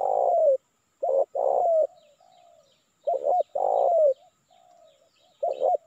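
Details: A spotted dove, likely male, gives a lure call to attract wild doves: deep, mellow cooing phrases, a stuttered coo then a long rolling note, repeated every two and a half seconds; faint birds twitter behind.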